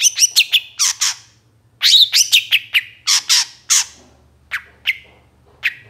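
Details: Song of a long-tailed shrike in moult, played to coax captive shrikes into singing: bursts of harsh, scratchy notes and rasping squawks in quick groups, with short pauses, ending in scattered downslurred chips.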